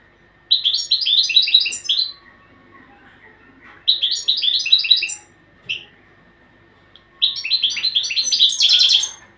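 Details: European goldfinch training song in three lively phrases of fast, liquid twitters and buzzy trills, each lasting about two seconds and separated by short pauses.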